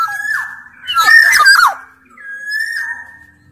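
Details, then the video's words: Lure recording of a big-bodied black-naped oriole from Sumbawa in active song. A level whistle leads into a loud harsh, scratchy burst, then a long clear whistled note fades out. "Burung kepodang sumbawa gacor"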